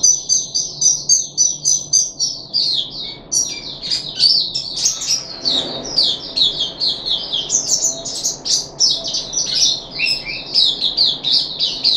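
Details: Caged puff-backed bulbul, recorded on 14 July 2021 during its third day of a deworming course, pours out a long, fast warbled song of high chirps and twittering notes, with no pauses and a quiet indoor background.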